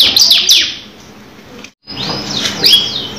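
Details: Canary singing a long rolling song: a burst of fast falling whistled notes, a brief pause into near silence, then renewed high sweeping whistles.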